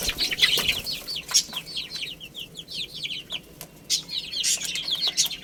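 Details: Chicks at play and feeding, giving strings of shrill peeps, each a fast falling whistle, several birds overlapping, with occasional loud pecking clicks and scratching.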